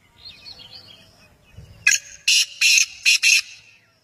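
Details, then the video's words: Kala teetar, the black francolin, gives a rasping call of five harsh, buzzy broadband notes spaced unevenly over about a second and a half, after softer chirping and a low thump. "kala teetar ki awaz"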